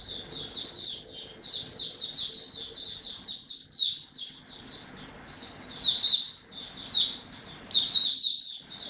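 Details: Oriental white-eye hobby bird performing a song display, recorded 26 November 2022. Near-continuous, high-pitched, warbling chatter of quick slurred notes, with louder, shriller bursts toward the end and faint low hum behind.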